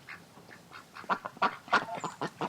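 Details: Duck on a farm, a series of short harsh quacks, soft at first and then louder, spaced roughly every quarter to half second.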